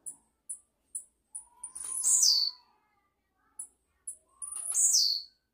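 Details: Singing blue-black grassquit, perhaps a campainha-style singer: a series of evenly spaced sharp high ticks builds into a loud buzzy downward-sliding phrase, then a few more ticks and a second buzzy phrase.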